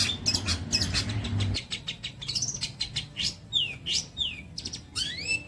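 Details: Long-tailed shrike song for training songbirds: a burst of rapid chatter that gives way to clear whistles sweeping up and down, each spaced about half a second apart.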